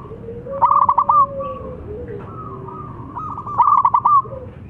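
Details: Local zebra dove, a prolific singer, with a long song meant to prompt reluctant birds to sing: two bursts of rapid, stuttering, hollow coos near one pitch, each ending in a drawn-out note, over a faint steady lower tone and background hiss.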